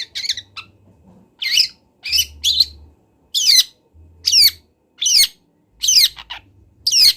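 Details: Kendal local long-tailed shrike on a training recording for learning birds delivers separate harsh, raspy notes that bend downward, roughly one burst per second with short gaps, over a soft background hum.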